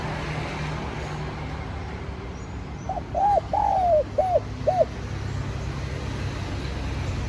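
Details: Spotted dove cooing as a lure for wild doves: a single five-note phrase of soft arched hoots, the middle note long and drooping, heard over a steady background hiss and low hum.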